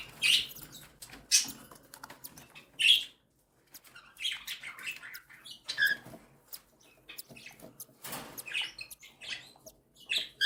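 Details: Newly hatched and week-old cockatiel chicks fed by their mother: scratchy high chirps and squeaks in irregular bursts, separated by brief pauses and soft clicking.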